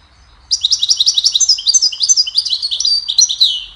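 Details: Goldfinch singing a cheerful melody meant to teach other songbirds: after a brief silence comes a steady stream of rapid, high, liquid twitters and buzzy trills, about three per second, with no other sounds.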